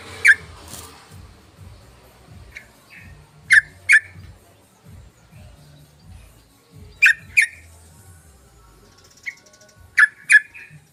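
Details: Attracting call of a sooty-headed bulbul: a sharp click, then repeated doubled chip notes every three to four seconds, with softer short notes between them and a faint low murmur throughout.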